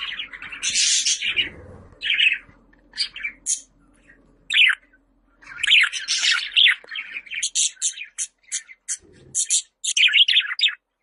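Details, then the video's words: Busy budgerigar chatter of scratchy tweets and squawky notes in uneven bursts, with a clustered run of short chirps toward the end and a faint hum in the background. "Muhabbet Kuşu Sesleri"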